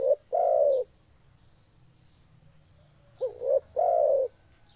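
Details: Spotted dove in lively full song: a long, low, mellow coo, then after a pause a quick two-note lead-in followed by a long drawn coo. Faint high chirps in the background.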